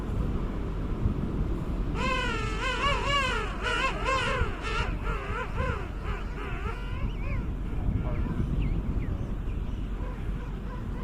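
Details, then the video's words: Penguin calling in a series of loud, harmonic braying notes that rise and fall in pitch, bunched together for several seconds, then quieter calls trail off over constant low wind and rumbling background noise. "Som de pinguim, efeito sonoro de pinguim"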